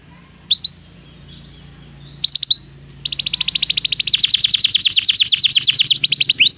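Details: Canary song played to make a canary sing: a few scattered chirps, then a long, loud, very fast trill of high repeated notes over a low background hum.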